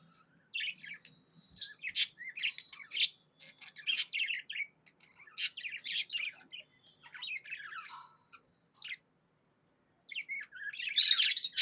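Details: Pet budgerigar in a happy mood chirping: bursts of sharp, scratchy chirps and short squeaks, then a brief silence before a loud rasping chatter closes.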